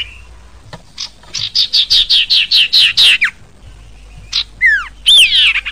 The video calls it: Suara Burung SIRPU